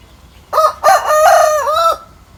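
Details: A rooster crows at dawn atop a mango tree, one full cock-a-doodle-doo: short lead-in note, brief break, a strong steady middle note and a dipping, rising-falling end, then quiet background.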